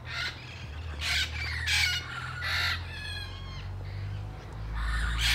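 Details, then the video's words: Many wild parrots in San Diego: a chorus of loud, harsh, rasping squawks overlapping in quick bursts, some with buzzy stacked tones, over a constant low rumble like traffic or wind. "A ton of parrots"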